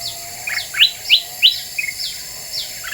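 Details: Black-winged bulbul lure song meant to stir other birds: three loud rising chirps among softer twitters, with echo-like faint notes behind.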